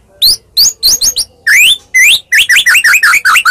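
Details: Medan-type white-rumped shama fighting song, used as a lure so shamas reply at once: sharp upward-sweeping whistles in quick groups, with longer rising slurs in between, then a brisk series of rising chips.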